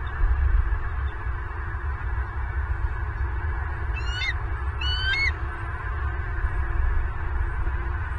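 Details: At a Southwest Florida nest filmed by a fixed camera, 24 November 2022, a bald eagle gives two sharp, piping, slightly rising squeals about a second apart, set against constant deep wind-like rumble.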